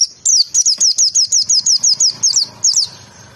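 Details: White-eye (pleci) in tembakan style for tutoring: a steady, fast string of about fifteen shrill, downslurred chirps, evenly spaced, ending in a slightly quieter trailing note.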